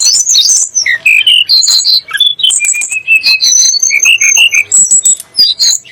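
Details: Song of the Sunda blue robin, known locally as tledek gunung, played to make shamas and other songbirds sing: a fast, high, varied string of whistled notes, short slurs and bright trills.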